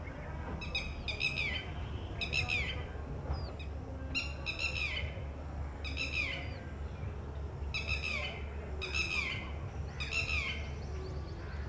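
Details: Alarm calls of a female Red-wattled Lapwing as her egg hatches, calling from a distance to warn the wet newly hatched chick of danger; loud, strident downslurred notes in quick pairs and triplets, repeated steadily, over low constant hum.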